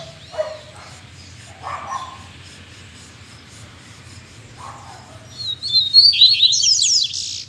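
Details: Captive Double-collared Seedeaters (coleiros), singing again after an expected moult, played as a 'puxada' to warm up other birds. Quiet low sounds come first, then a bright, fast twittering burst of high notes rises near the end.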